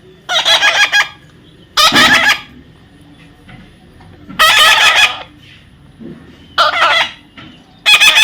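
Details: Baby parrot repeatedly uttering coarse, grating squawks, five bursts roughly every one to two seconds, each a rapid pulsed rasp, over low background hum.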